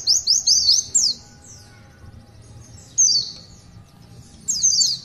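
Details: Pleci, the Oriental white-eye, in a long 'tulitwitwit' song: a quick burst of four high sweeping whistles, a quiet gap, then single and paired sharp downslurred chirps.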